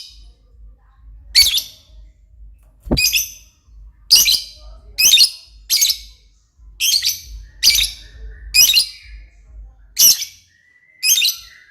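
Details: Lovebird in full, active voice, as gacor describes: about eleven piercing, raspy screeches at irregular intervals of roughly one second, with faint thin whistles between.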